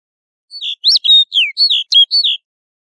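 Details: Snow bunting singing: a short phrase of about eight clear, warbled whistled notes, some rising and some falling, given in quick succession and ending after about two seconds.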